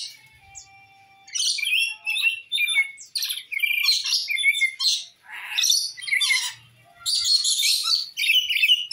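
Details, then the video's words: Rainbow lorikeet calls used as a lure to draw an escaped lorikeet back: bursts of shrill, harsh screeching chatter in rapid clusters, separated by short pauses, with scratchy high notes throughout. "Suara burung nuri pelangi gacor untuk pancingan burung nuri yang lepas"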